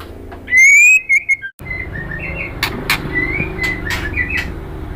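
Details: Female white-rumped shama calling a male in kretekan style: a loud rising whistle with two quick notes, then softer whistled phrases among scattered harsh, crackling bursts.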